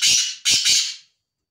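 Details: Tame, free-roaming kala teetar (black francolin) giving a loud, hoarse, grating call: one long rasping burst, then two more close together, ending abruptly.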